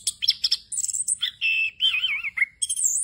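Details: Continuous 'ngerol' song of an orange-headed thrush rich in varied phrases, played to train young birds. Sharp chips give way to a sustained warbling whistle that wobbles up and down, a brief slide, then a high wavering note.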